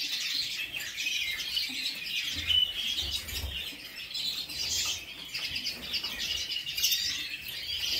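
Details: Several caged redpolls in an indoor bird room give high, thin chirps and twittering notes in loose bursts, with faint low rumbling in the background.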